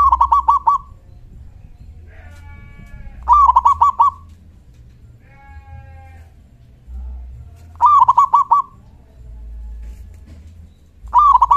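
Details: Loud local zebra dove 'kung' calling meant to get other doves to answer. Three full phrases and a fourth starting, each a swift run of hollow stuttered coos; short, faint, reedy tonal bursts sound in the gaps between.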